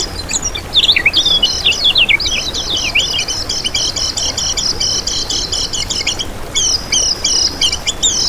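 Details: Kecial kuning song recorded as a lure and training master: a brief run of swooping notes, then a long, fast, even chattering trill in high pitch, pausing and resuming near the end.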